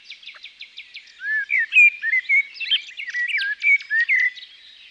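A blackbird sings a run of clear, fluty warbled notes that bend up and down, mixed with thin squeaky twitters. Faint dry ticks come first.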